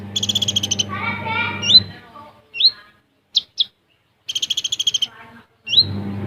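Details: Olive-backed sunbird, a caged bird, in full 'besetan' and 'tembakan' song styles: a rapid, high, dense buzzy trill, then descending chattering notes and sharp upslurred chips, with another trill burst over a steady low hum.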